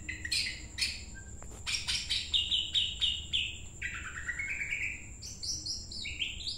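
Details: A trained greater green leafbird, being prepared for a singing competition, sings a fast, varied run of bright chirps, trilled phrases and rising and falling whistles, with a steady faint high hiss behind.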